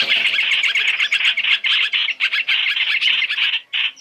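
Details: Lure recording for trapping with Chinese hwamei calls: loud, scratchy squawking chatter repeated roughly four times a second, ending with a couple of separated notes.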